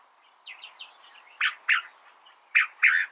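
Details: Short snatch of California thrasher song: soft warbled notes followed by four louder, harsher phrases in two pairs.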